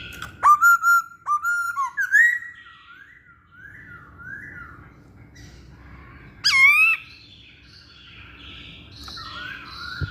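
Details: Masked laughingthrush singing actively, used as a lure to draw other birds: loud clear whistled notes with rising and falling bends, given in a quick series of short phrases, then a pause with a soft background hum and one more strong whistle.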